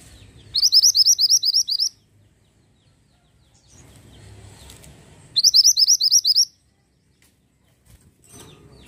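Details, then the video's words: Pied bushchat in persistent song: two separate bursts, each a rapid train of about ten identical high, flicked notes lasting over a second, divided by a pause with faint low background rumble. "BURUNG MANTENAN GUNUNG GACOR"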